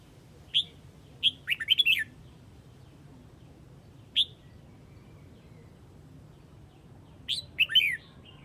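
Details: Red-whiskered bulbul from Huế, Vietnam, calling the flock with single sharp chirps and short bursts of rapid warbling notes, spaced several seconds apart, over a quiet background.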